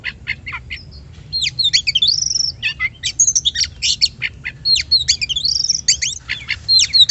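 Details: Oriental magpie-robin song used as a lure to provoke other birds into singing: loud, varied phrases of sharp whistles, quick slurred notes and rapid chattering trills, delivered in bursts with short pauses, very clean with no other sounds.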